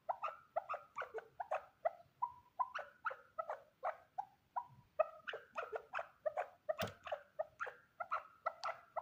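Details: A lone male chukar partridge utters a long rhythmic run of clucking, chuckling notes, some doubled, with brief pauses and a single sharp click partway through.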